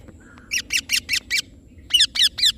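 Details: Green Indian ringneck parakeet repeating loud, grating chirps roughly every quarter second, a run of five followed by a brief gap and three sharper, ringing calls; low steady hum behind.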